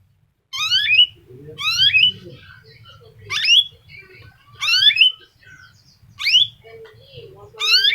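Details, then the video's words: F1 canary with a unique song variation, played to lure other canaries into singing; sharp rising whistled notes repeat about every one and a half seconds over a low steady hum, with soft chirps between them. "Kenari f1 cengkok unik pemancing suara kenari"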